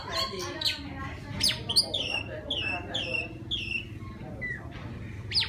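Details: Wild Oriental magpie-robin male song calling a mate: a run of bright whistled notes, most sliding downward, repeated about every half second, with occasional sharp upward flicks over a low steady hum.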